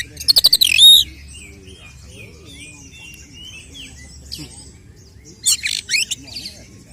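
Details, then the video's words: Oriental magpie-robin fighting song meant to rouse rival males: an opening burst of fast rattles and a sharp whistle, then soft wavering warbled notes, followed by a loud harsh chattering burst, with low music humming underneath. "Kacer gacor 🔥TARUNG KONSLET nembak BUKA EKOR pancingan efektif UNTUK mendongkrak EMOSI burung KACER"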